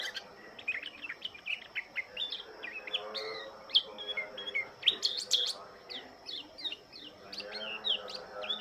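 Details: Oriental white-eye of the Lombok type greeting the morning dew: busy stream of short high chirps and twitters, quieter and uneven, over a faint hum with soft rustling in the background.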